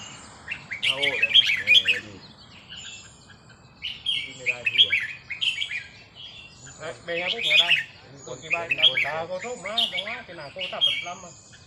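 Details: Caged red-whiskered bulbul being practised on a leisurely day, singing lively chirping phrases in four or five bursts spaced a few seconds apart, over a steady murmur of men's conversation.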